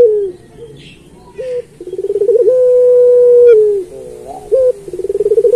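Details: Puter pelung turtle dove singing a training song used to teach other pelung doves: low, mellow coos with rapid rolling trills that swell into a long, steady, slightly falling held note, then trill again.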